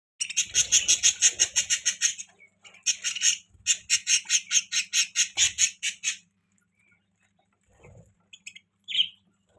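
A budgerigar gives rapid, scratchy chirps in quick repeated bursts, then a few short squeaks.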